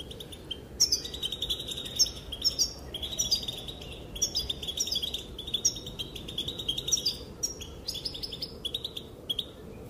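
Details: Female goldfinch calling, with males said to dance in response; a long run of high, tinkling twitters and sharp chirps, nearly unbroken for ten seconds, over constant low background noise.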